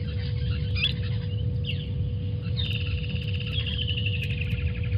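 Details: Water thick-knees at the Djuma waterhole, 28 November 2020, give a rapid series of piping, slightly falling whistles while chasing away vervet monkeys, over a steady low rumble and a faint hum.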